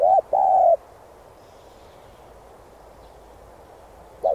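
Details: Spotted dove song meant to excite decoy birds in training. One mellow phrase opens the recording: a short note, then a long even coo, followed by near silence until a new phrase begins at the end.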